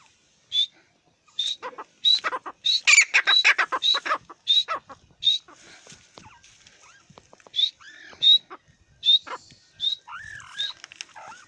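A francolin calls in loud, harsh bursts of rapid scratchy notes, mixed with high squeaky whistles, easing to fainter scattered notes toward the end.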